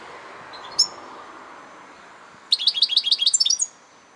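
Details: After a lone high note and a pause, a European goldfinch delivers a rapid one-second twittering phrase against steady background hiss.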